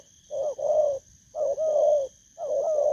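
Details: Spotted dove, a newly caught wild bird, gives three drawn-out rolling coos, each a quick upward note merging into a long warbling hoot, spaced about a second apart. A faint constant high-pitched hum underneath.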